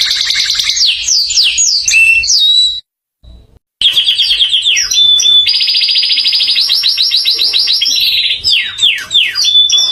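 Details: Contest canary song of fast descending sweeps and dense rolling trills, a brief silent gap after about three seconds, then a long steady high trill and more falling slurred notes.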